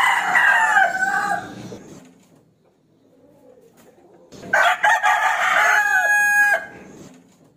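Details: Rooster crowing to challenge a rival: a fading crow, a pause of a few seconds, then a strong, ringing two-second crow.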